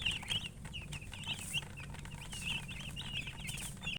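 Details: Domestic hen, a coloured murgi chicken, making silly high chirping peeps, a quick string of short thin notes over constant low farmyard rumble and noise.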